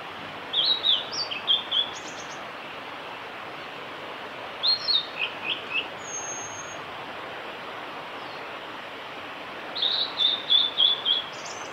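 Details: Blue-and-white flycatcher male in song at Lake Miyagase's Kanazawa forest road, 5 May 2018, giving three separate phrases of bright high whistles and quick slurred notes with pauses between, against constant low environmental noise.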